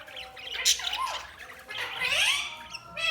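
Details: Budgerigars chirping, with warbling, squawky notes and rising whistled sweeps in a busy high-pitched chatter.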